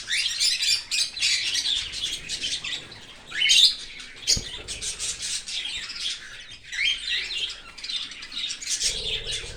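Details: Chick of an Australian cockatiel being fed by its parent outside the nest in an open aviary. It gives dense, rhythmic, buzzy begging rasps, with a loud rising squeal near the middle and a single knock.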